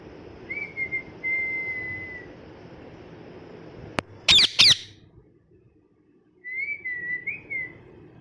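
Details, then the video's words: An angry molting pet parrot gives long thin whistled notes, a sharp click, then a pair of loud harsh screeches, followed by more short wavering whistles over a faint hum. "Parrot Chirping Sounds"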